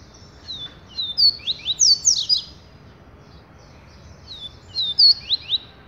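A double-collared seedeater sings two bursts of sharp, high whistled and buzzy notes, sweeping down and up, about four seconds apart.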